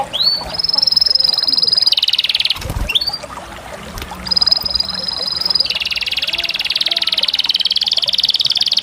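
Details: Singing canary alternating bright, high sustained trills with lower, broad rasping rolls, broken by a brief pause and a sharp click before the rolling trills resume.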